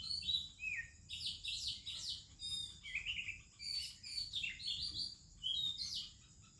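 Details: Melodious morning song of an Oriental magpie-robin in India: lively run of varied whistles, trills and downslurred notes in short bursts, with other birds singing in the background.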